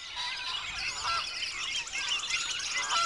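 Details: Repeated short upslurred squeals from a wood duck, rising and slightly nasal, mixed into a thick chorus of thin, high chirps and trills from surrounding birds.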